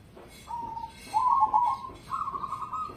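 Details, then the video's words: Cemani zebra dove, kept as a competition-grade songbird, gives a brief low coo followed by a rolling, pulsed trill and a slightly higher sustained phrase. "Perkutut Cemani Spek Lomba"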